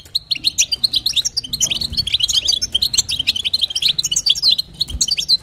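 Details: European goldfinch female giving calls meant to stimulate a male bird: rapid, bright twittering and jingling high notes packed closely together without pause, over a soft low rumble.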